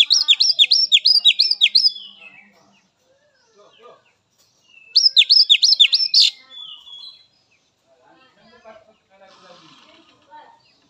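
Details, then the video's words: Wild Oriental magpie-robin song used as therapy to get captive birds singing: two bursts of rapid, loud, repeated high whistled notes around the start and middle, then faint scattered chirps and soft background sounds. "Suara Khas Kacer Alam || Terapi Kacer Bahan, Trotol dan Macet Bunyi"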